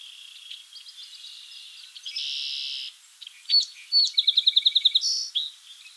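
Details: Song sparrow singing while foraging: soft high notes lead into a loud, flat buzzy note, then two sharp accented notes and a rapid, even trill of about ten clear notes that ends in a brief buzz.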